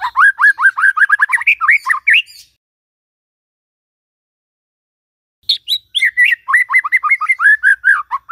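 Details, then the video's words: Morning lure song of a white-rumped shama, aimed at getting a silent one to sing: two bursts of rapid varied whistled phrases separated by about three seconds of silence. "Pancingan PAGI-PAGI AGAR MURAI GACOR❗sekali coba murai DIAM langsung bunyi"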